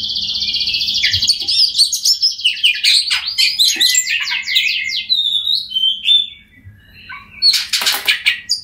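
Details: Oriental magpie-robin song for prompting silent birds to sing, opening with a fast buzzy rattling trill, then varied whistled phrases and a harsh scratchy burst near the end.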